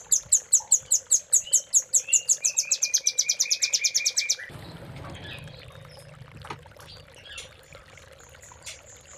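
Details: High, rapid trill of a velvet-fronted nuthatch, about twenty quick notes over four seconds, from a cililin-style master song for training caged birds, followed by quieter faint chirps and low background rumble.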